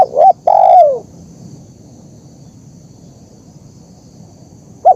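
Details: Zebra dove call, a recording used to train caged birds and lure wild ones: two short clipped notes then a long, rich coo sliding downward, with another opening note at the end over a faint steady high hiss.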